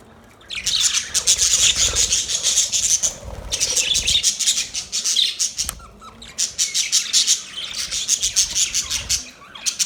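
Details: Budgerigars chirping in a dense, continuous chatter of rapid high twittering notes, in bursts of a few seconds separated by brief quieter gaps.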